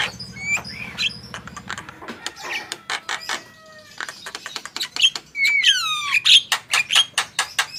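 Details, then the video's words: Javan myna singing to prompt other birds: scattered sharp clicks and thin whistles, building into a run of loud, rising squeals and harsh notes, with a low hum early on. "Jalak kebo gacor full masteran"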